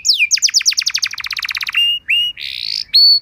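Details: Training song for canaries, played to prompt a response: a long rolling trill of evenly spaced notes that speeds up and lowers, then sustained flat whistles and a harsh buzzy burst.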